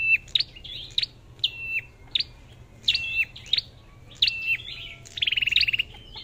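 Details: Red-whiskered bulbul, a caged songbird, singing loud clear whistled phrases: bright rising and falling notes, flat held whistles and a fast rattling trill near the end, phrases repeated roughly every second over a quiet background.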